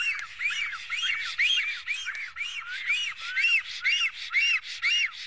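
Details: At an Estonian nest on 15 April 2018, shortly before noon, a black stork defending the nest repeats husky, looping whistled notes about twice a second, some notes doubled and slightly uneven in rhythm.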